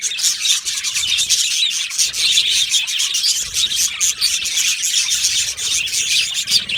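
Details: Aviary colony of yellow male budgerigars producing nonstop twittering, high scratchy chirps and warbles overlapping from many birds throughout, with a steady busy chatter.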